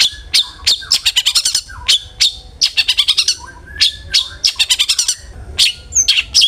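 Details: Long-tailed shrike song used as a lure to get other shrikes singing: loud, harsh rapid notes in fast bursts of repeated buzzy chips, with short rising whistled slurs between bursts.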